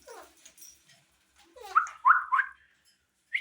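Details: Indian green ring-necked parakeet talking: a string of squeaky, rasping syllables, some sliding downward, then three loud harsh bursts close together and a final short high squawk after a pause, in a quiet room.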